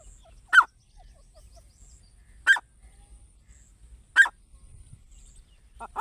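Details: Grey francolin, known locally as teetar, offered as a hunting sound: single short harsh notes sounding about every two seconds against a quiet background.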